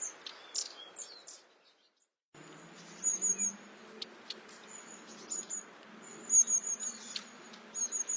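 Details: Long-tailed tit giving thin, very high trilled notes and scattered short chirps over a low steady background rumble, with a brief silent gap early on.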